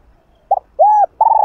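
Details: Spotted dove cooing in the hap boi style to rouse other doves: a short low coo, then a longer arched coo and a sustained level coo, all mellow and hollow, with near silence around them.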